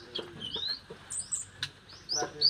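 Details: Oriental magpie-robin, described as a promising young songbird, giving high thin chirps and short rising whistled notes in brief bursts with pauses between, over faint rustling and background noise.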